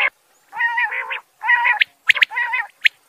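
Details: Male and female quail trading harsh, nasal, rasping notes about half a second long, broken by a few sharp high chirps.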